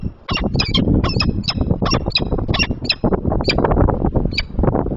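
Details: Morning at a Peregrine falcon nest on 30 March 2023 as the male takes over incubation. Harsh, grating calls repeat in rapid clusters throughout, over a steady low rumble of background noise.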